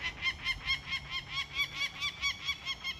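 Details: A mother Peregrine Falcon defends her three nestlings as they are taken from the cliff eyrie at RedBird Bluff for banding, giving a harsh, grating run of kak notes about four per second over faint wind rumble.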